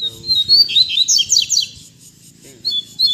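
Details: Captive double-collared seedeaters (coleiros) singing, played to stimulate other birds; a quick high warbled phrase of sweeping whistles and rapid buzzy down-slurred notes, then short clipped notes, with a low hum beneath.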